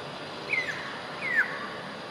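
Black-naped oriole giving two short, clear whistles that slide downward, about a second apart, over a steady hiss of background noise.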